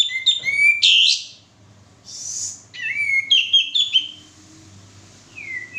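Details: Male sooty-headed bulbul, used as a singing lure, gives short bursts of chirpy whistles and harsh notes separated by quiet gaps, ending with a soft, falling whistle.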